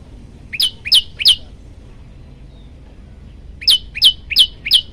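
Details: Olive-backed tailorbird, a master recording for training birds: two bursts of sharp, high, downslurred chips, three then four, with a silent gap between.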